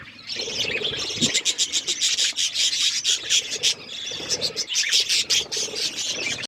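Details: Budgies eating food while chirping continuously: a fast, busy stream of high, scratchy chirps and warbles, with some low rustling now and then.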